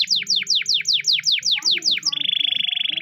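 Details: Spanish Timbrado canary training song: a dozen loud, steeply falling high whistles at an even pace, followed by a rapid, steady high-pitched trill.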